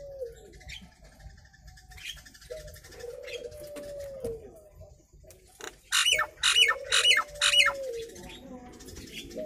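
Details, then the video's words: Nias hill myna, a hill myna used as a lure recording to draw answers from other mynas; low drawn-out tones give way to four loud, harsh, evenly spaced notes near the end. "Suara Asli Burung jalak nias"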